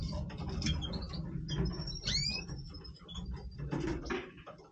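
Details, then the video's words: European goldfinch of the Major type giving its breeding voice: high, thin twittering notes with one bright rising-and-falling sweep midway, over steady low rustling and clicking patter. "Stieglitz Major Breeding Voice - singing Goldfinch"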